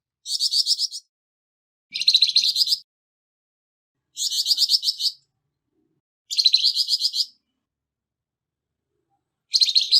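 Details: Harsh-voiced Flamboyan bird, kept as a tutor for songbirds, gives five rasping phrases of fast, pulsed notes about every two seconds, each lasting nearly a second, against silence.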